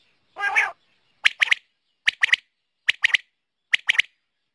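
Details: Female rain quail recorded in the morning: one harsh, rasping opening note, then sharp metallic double and triple notes repeated about every 0.8 seconds in otherwise quiet surroundings.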